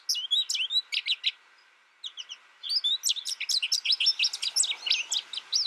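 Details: American goldfinch twitters in quick high chirps, falls quiet for about a second, then returns with a dense, lively stream of bright sweeping notes.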